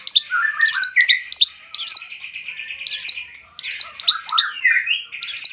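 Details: Long-tailed shrike singing a mix of high thin downslurred whistles, lower warbled notes and buzzy trills, repeated in quick phrases.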